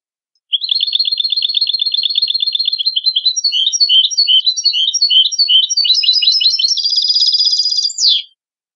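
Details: A long, unbroken goldfinch song of about eight seconds: a steady rapid trill turns into varied liquid twitters and chirps, then ends in a fast, high buzzy trill; clean background.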